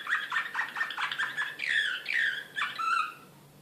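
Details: Excited canary of the Serbian nightingale song style (slavujar), Belgrade, 2016, singing rapid repeated chirping notes, then longer buzzy, descending whistled phrases with short pauses in between.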